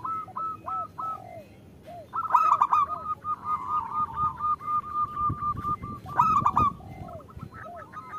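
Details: {'text': 'Zebra dove, a female calling the male, used as a lure to get reluctant local doves singing; rapid run of short clipped coos repeated several times a second, with louder harsh bursts around the middle and end.'}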